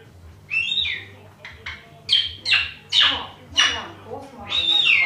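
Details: A sulphur-crested cockatoo, a rescued bird with beak and feather disease and few feathers, gives a run of harsh, raspy squawks, roughly one every half second, each sliding downward. A faint low hum lies underneath.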